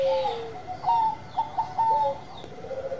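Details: Short phrase from a Bangkok zebra dove in lively song: a falling coo, then several brief bright notes spaced roughly a quarter second apart, over faint background hiss.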